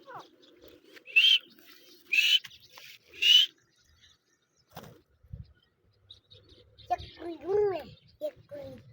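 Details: Male grey francolin of the Deccani type, a breeder bird, calling: three loud harsh notes with a rising whistled edge about one second apart, then a quiet pause and a run of softer arched, nasal notes.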